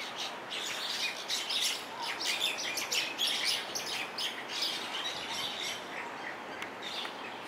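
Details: Introduced common mynas wrestling in a scuffle on a hotel lawn on the Big Island of Hawaii give a dense jumble of harsh, chattering squawks and sharp chirps, overlapping almost without pause over a steady outdoor hiss.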